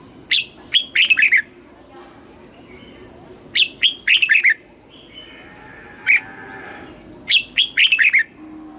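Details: Caged Thai Red-whiskered bulbul giving southern master-style song to excite caged birds and teach young birds: three repeats of a phrase of sharp rising whistles running into rapid chirps, with brief pauses between.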